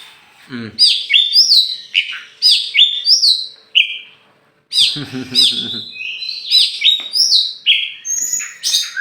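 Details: Tame champion oriental magpie-robin from Meulaboh, Aceh, let loose outdoors before being hung up: loud varied song of sweet whistles and rapid rising-falling slurred phrases, with a short pause, then buzzy rattling notes and more looping whistles.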